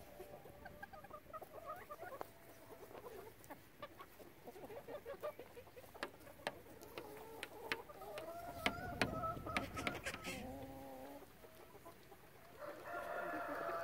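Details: A relaxed chicken flock keeps up a busy patter of soft clucks and short tonal calls, with a louder burst of overlapping calls near the end and faint low rumble beneath.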